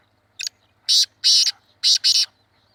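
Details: Harsh, scratchy calls of a black francolin, known locally as kala teetar, in a hunting setting: a brief clipped note, then two pairs of rasping notes in quick succession over a faint low hum.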